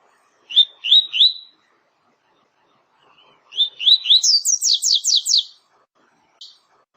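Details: A double-collared seedeater gives its clean 'tui tui' song: three quick upslurred chirps, a pause, then three more chirps that run into a fast cascade of about six shrill, descending whistles, ending with a single short note.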